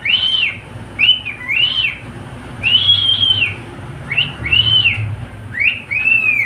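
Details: Pet cockatiel singing a string of clear arched whistles that rise and fall, about seven phrases in six seconds with short gaps, over a faint low hum.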